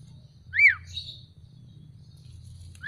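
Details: Black-collared starling just after being bathed and dried in the sun: a loud, clear whistled note that sweeps up then down, followed by a faint buzzy trill, with a second whistle starting at the end over a low steady hum.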